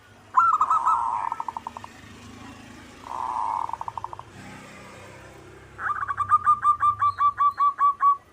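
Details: Singing local zebra dove: three phrases of fast, evenly spaced staccato coos at mid pitch, the last run longest with about a dozen pulsing notes.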